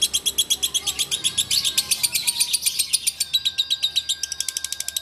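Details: Caged lovebird of the bawor singing style from Takengon, Aceh, delivering a fast, steady train of sharp, high chattering chirps, about four per second, with faint lower whistled notes underneath.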